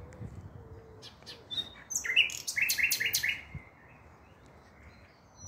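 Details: Common nightingale recorded 5 May 2023, delivering a brief phrase of four or five emphatic pulsed notes after quiet scattered chips; faint thin whistles sound in the background.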